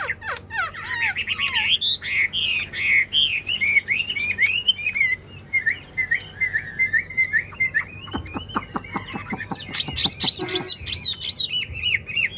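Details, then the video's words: Chinese hwamei, a caged songbird described as a very good singer, pours out a continuous stream of loud, fluid whistles sliding up and down, broken midway by rapid dry clicks before bright, high whistling resumes. "Ngũ trường cao cầu chim hót rất tốt, đầu mặt đẹp | Họat Họa Mi"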